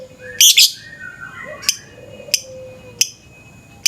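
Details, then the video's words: Caged lovebird in the morning, used as a lure recording: harsh, high chattering bursts, a loud double burst early, then single sharp chips every half second or so over a faint low whine. "Pancingan suara burung lovebird pagi pagi ngekek panjang"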